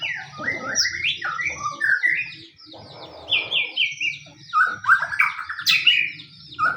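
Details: White-rumped shama, pastol type, singing a fighting-style lure to provoke other shamas: dense varied whistles, rattles and repeated downslurs, interrupted by two short bursts of broadband noise, over low hum.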